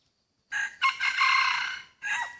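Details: Loud crowing where a decoy rooster draws a hybrid wild junglefowl in a rubber plantation; four-part crow with a clipped opening, a strong upstroke, a long even harmonic note, and a final short note that slides downward.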